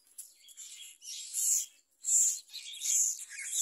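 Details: A Myna chick being fed a large blue caterpillar by its parent gives harsh, hissing, raspy begging bursts, high-pitched and repeated about every second, with short gaps between them.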